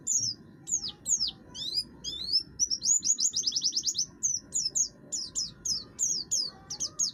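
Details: Oriental white-eye of the buxtoni type, kept caged, singing harshly to set off other birds; varied high chirps followed by a rapid rattling run of short repeated notes, then more down-slurred chirps.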